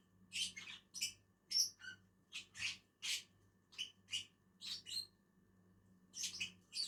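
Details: Two lovebirds (Agapornis) eating on a tree produce a steady series of piercing high chirps and harsh squeaks, unevenly spaced, with one brief quieter pause.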